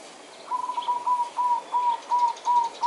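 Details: Zebra dove following another to get attention in courtship: a quick, rhythmic string of short, level cooing notes, several per second, clear above a soft hiss.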